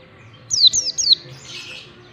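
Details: Mountain white-eye in the ngalas singing style, used to train birds: three quick, high, downward-sliding whistled notes, followed by a soft hissy rustle.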